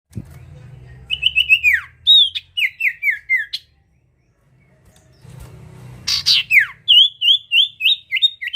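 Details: Sirtu bird singing actively, used as a lure to draw other birds; bursts of high, sharply descending whistled notes, then a quiet gap and a loud buzzy burst followed by a fast series of repeated chirps, over a low indoor hum.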